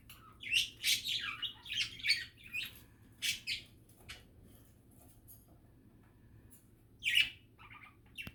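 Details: Pet budgerigars chattering in a relaxed, happy mood: bursts of quick high chirps, squeaks and scratchy warbles in the first three and a half seconds, a quiet stretch, then another short chirpy burst near seven seconds over a faint low hum.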